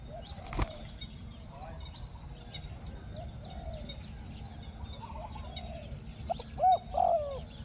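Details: Spotted dove calling while luring wild doves, 'khu ang' two-word coo style: soft distant coos at first, then two loud hollow coo notes near the end, with a sharp click early on and faint bird chirps in the background.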